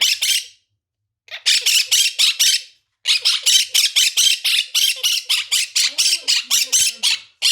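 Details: Monk parakeet kept as a pet, screaming and quaking: bursts of loud rasping squawks in quick series, separated by brief silences, each run of six to fifteen harsh, grating notes delivered rapidly.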